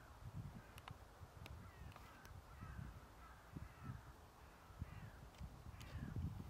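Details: Hooded crow (Corvus cornix) at Ljubljana Marsh, Slovenia, 7 December 2023: a series of harsh, hoarse caws, several in quick succession, over a steady low rumble of wind or distant traffic.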